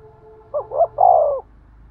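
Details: Spotted dove giving a thúc gù coo to excite a male: a single phrase of two quick soft notes followed by a longer, fuller coo that fades out, with a faint low hum underneath.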